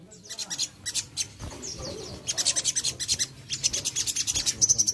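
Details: Sogon, the crested jay, with long strings of rapid, scratchy pulses like a dry churr, broken by a short gap, then resuming steadily and ending in a thin, high note.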